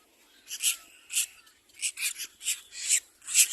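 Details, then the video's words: Little black cormorant chicks competing for food, giving harsh, hissing squeaky bursts in quick succession, about two per second, each short and high-pitched, with quiet pauses between. "Little black cormorant baby birds compete for food"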